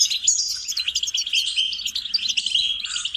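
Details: Brief stretch of goldfinch song for training songbirds, packed with quick tinkling chirps, tight trills and a few sharp whistled notes, all bright and high without a break.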